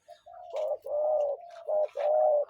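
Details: Wild-caught Spotted Dove, a mountain-line lure bird from Phetchabun, Thailand, cooing slowly in a measured rhythm: low hollow hooting phrases, a short note, a long drawn coo, a brief note, then another long coo.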